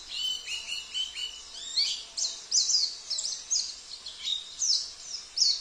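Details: Song of a Sambas-type oriental white-eye whose fill-ins copy canary, cililin, kapas tembak and jenggot. It opens with short descending whistles, then a dense, high, buzzy twittering repeated in quick phrases.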